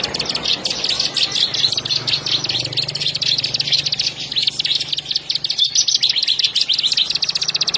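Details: Bar-winged prinia pouring out a dense, high-pitched chattering song of fast repeated notes, nearly continuous, over a soft low hum and one sharp click.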